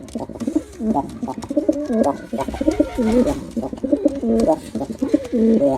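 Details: Rapid, unbroken cooing by a performing male pigeon, throaty phrases wavering up and down in pitch, repeated almost once a second in an enclosed space.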